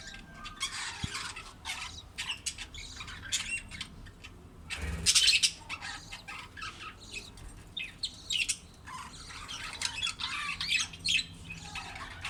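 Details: Budgerigar mother feeding her chicks; busy high-pitched chirps and raspy squawks come in irregular bursts, with a louder rustle or flutter near the middle.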